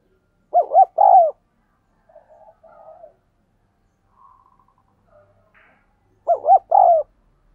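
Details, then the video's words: Thúc gù coo of a spotted dove, used to train decoy birds and bring wild doves in. Two loud phrases of double hoot plus long coo, about six seconds apart, with soft gurgling coos between. "Tiếng Chim Cu Gáy Thúc Gù Dùng Tập Mồi, Bổi Nghe Xiêng Gáy"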